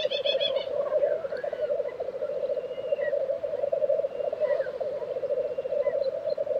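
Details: Chorus of black grouse bubbling at an April lek in Tiveden, Sweden, steady low rolling coos, opening with a quick burst of rapid chattering notes and later soft whistles from other birds.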